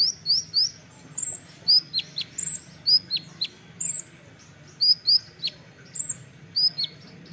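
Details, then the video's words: Olive-backed sunbird giving rapid bursts of thin, very high chips and sharp down-slurred notes, about two or three per second, over a quiet background. "masteran kolibri ninja (konin) nembak rapat"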